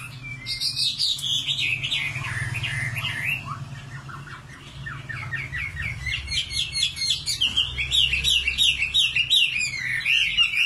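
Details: Singing common nightingale delivering a rich varied song: descending chirp series, then long runs of fast repeated clicking and trilling notes, rhythmic and loud, with a low background rumble.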